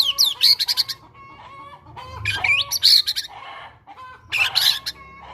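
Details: White-rumped shama, fighter type, singing cinereous tit (gelatik batu) imitations to coax a quiet bird into song: clipped high whistles and rattling phrases in short bursts over a low steady hum.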